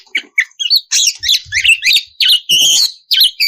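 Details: Oriental magpie-robin, a female in breeding condition calling the male, used as a lure to prompt singing. Quick bursts of high, scratchy, chattering notes mixed with short whistled slurs, broken by brief pauses.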